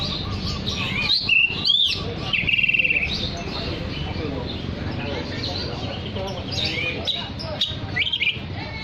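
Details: Oriental magpie-robin in full song, played to call other magpie-robins: clear whistled notes and a buzzy trill near the start, then softer warbling and a few sharp slurred notes toward the end, with low background rumble.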